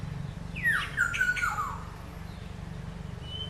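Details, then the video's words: Black-hooded oriole calling: a short phrase of slurred, descending fluty whistles with a harsher squawky edge, lasting about a second, over a low steady background hum. "Black hooded oriol bird is calling"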